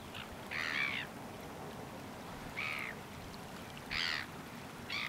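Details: A leucistic Variable Oystercatcher at Duder's Beach, Clevedon, New Zealand, on 23 October 2020 gives four loud, harsh, rasping calls about a second apart, over a steady wash of surf or wind.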